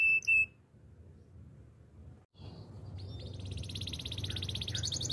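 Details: Spanish Timbrado canary song for training: two short sharp notes, a quiet pause, then a soft rising trill that builds into a continuous high bubbling roll.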